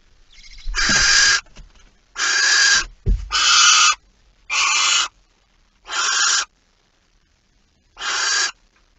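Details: A male barn owl (Tyto alba) carrying a mouse at 23:43 on 15 September 2019 gives six harsh, hissing screeches, each under a second long, every one to two seconds, with a couple of soft thumps early on.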